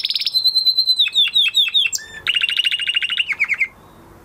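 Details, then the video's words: Canary singing after moulting: a high buzzy note, a string of quick downslurred chips, then a lower rapid rolling trill fading out. "Canary Trying To Unlock His Full Singing Potential Part 2 - Canary Singing Video"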